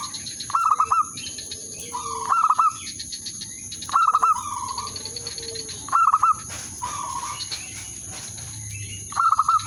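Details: Zebra dove lure bird calling to attract a rival, described as a mating call: five bursts of quick stuttering coos roughly every two seconds, each trailing into a sustained trill, steady high-pitched hum throughout.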